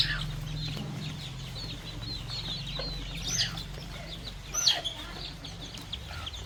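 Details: Chicks and young chickens pecking at fresh termites in a countryside farm setting; soft high chirps repeat steadily, interrupted by two sharper, louder bursts, with a constant low-pitched hum in the background.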